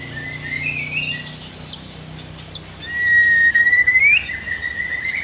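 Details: White-rumped shama on a training master recording with river sounds: a long, pure whistle that slowly rises, ends in a rapid stuttering trill, and is followed by a lower whistle, over faint flowing water.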